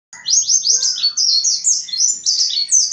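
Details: Mountain white-eye singing vigorously as a lure to draw out and stimulate other white-eyes: a rapid, continuous chatter of high, sharply descending twittering notes, run together without pause.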